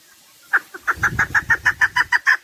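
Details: Chukar partridge calling: after a soft lead-in, a run of sharp, evenly spaced clucking notes quickens slightly and grows steady, about a dozen in two seconds, with low rumbling underneath.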